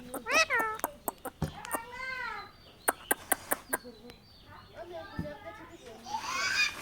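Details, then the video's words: Indian ringneck parakeet talking: voice-like harmonic phrases that slide downward, a burst of sharp clicks in the middle, then a short hissy phrase at the end. "কথা বলা টিয়া পাখি,India Ringneck parrot 🦜telling birds"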